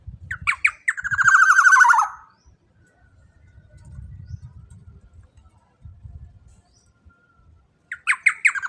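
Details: Large, loud-voiced black-naped oriole used to lure and train birds: a few clipped notes run into a quick descending buzzy trill, then low thumping noise, and the sharp opening notes return at the end.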